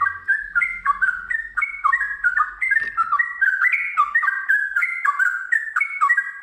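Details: Continuous bubbly whistling of a kept Sooty-headed bulbul in gacor song, short two- and three-note phrases tumbling up and down, with a faint low hum in the first half.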